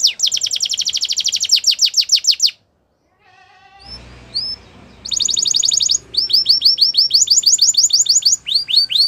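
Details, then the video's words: Canary singing for training: a long, fast, high trill of repeated falling notes, a pause with faint murmuring background, then the singer resumes with rapid trills and sweeping whistles. "Canary's Most Powerful Song For Training"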